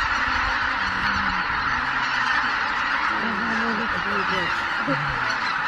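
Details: Greater white-fronted geese, a flock over 83,000 strong, leaving the roost at Miyajima-numa at dawn on 23 April 2017 in bad weather; a broad wash of massed calls with a few wavering honks toward the end.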